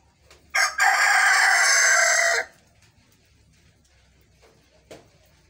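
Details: A rooster gives a single harsh, raspy, hacking crow lasting about two seconds, with a brief catch near the start, then quiet with a few faint knocks; the owner finds these crows unusually lazy, unlike any rooster crowing heard before.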